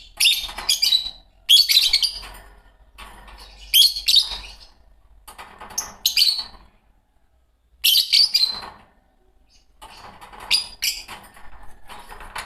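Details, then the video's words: Shrill, buzzy chirps from a green Fischer's lovebird pair, delivered in short high bursts about every one to two seconds, with a longer pause before a final run of sharp notes; background otherwise quiet. "Lovebird singing & chirping sounds -Green Fischer Pair -طيور الحب"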